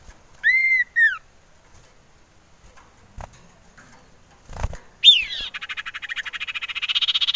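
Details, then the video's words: Male common iora used as a lure, wanting to mate: two arched whistled notes, a pause with faint knocks, then a falling note running into a fast, accelerating buzzy rattle. "Merdunya suara cipoh sirtu ini cocok buat pancingan"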